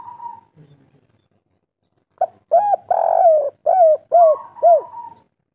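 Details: Local spotted dove (derkuku, tekukur) singing vigorously in the kuk 3 style: a faint held note, then a short coo, a long rolling coo and three hooked, repeated coos, ending on a steady drawn-out tone.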